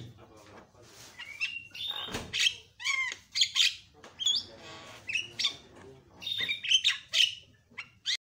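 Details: Javan myna calling loudly to stir other mynas into calling: a varied mix of grating squawks, whistled slurs and chattering notes in rapid irregular bursts.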